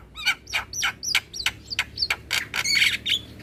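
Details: Javan myna singing, used as a morning tutor recording for young birds: a quick, steady series of harsh, squeaky upswept notes, about three a second, over a rumbling background.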